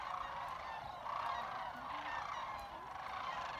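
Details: Massed sandhill cranes at Jasper Pulaski Fish and Wildlife Area, trilling and chatting in a constant overlapping din of rolling, rattled calls that sounds like a distant crowd.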